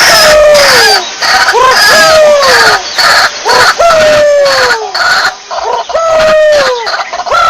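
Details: A white-breasted waterhen (Amaurornis phoenicurus), recorded as a lure call, gives loud, harsh, falling croaks about every two seconds, the notes overlapping in a steady, insistent series.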